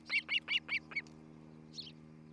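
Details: Osprey at the nest in Charlo, Montana, recorded by nest camera on a July 2018 morning: five loud, harsh chirps in quick succession, then a pause and one faint note, with a low hum beneath.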